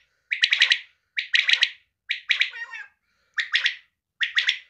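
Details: Calls of a female quail: five quick, crisp triple-note bursts spaced about a second apart, one ending in a rougher buzzy trail. The setting is otherwise silent.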